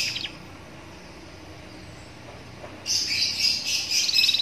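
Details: Young canary singing beside a roadside, meant to prompt other canaries to answer; a short high chirp opens, then after a pause a fast, bright buzzy trill runs continuously to the end over faint street hum.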